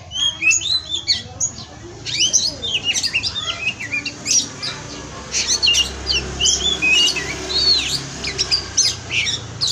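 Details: Masteran kacer, the Oriental magpie-robin, pouring out a rich song of clear whistles, slurred upsweeps and chattering trills, bursts packed closely together over a faint low hum.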